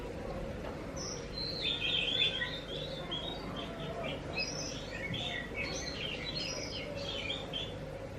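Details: Oriental magpie-robin (kacer) song used as a lure to draw answers from other magpie-robins: a lively run of varied whistled and chattering high phrases, fast and somewhat irregular, over a steady low mechanical hum.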